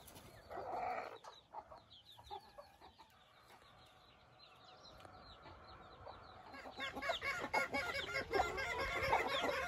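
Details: Newborn Silkie chicks outdoors for the first time with their hens (4 hens, 24 chicks) peeping, thin high notes tumbling over each other several times a second, growing busier and louder, with a low cluck early on.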